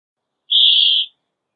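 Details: Brambling producing one even, sustained buzzy wheeze lasting just over half a second.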